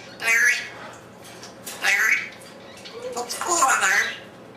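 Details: African Grey kept as a pet, chattering alone in a room after its people left: three or four raspy, speech-like squawking phrases spaced about a second apart, with quiet pauses between.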